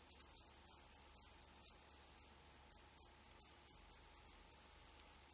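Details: Eleven-day-old black redstart nestlings in an old furnace pipe of a doomed building, Poland; several high, sharp chirps overlapping in a fast, irregular chorus of about four notes per second.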